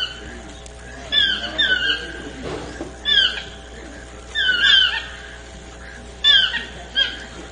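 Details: Chestnut-mandibled toucan, also called Swainson's toucan, giving loud, harsh yelping calls. Each call is a ringing, slurred phrase. About six phrases come in uneven bursts over seven seconds, over a low steady background hum.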